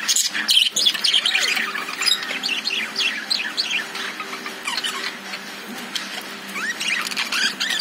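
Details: Inside a cage, lovebirds give quick high chirps and short upward-sweeping twitters, around three notes a second, softer in the middle stretch.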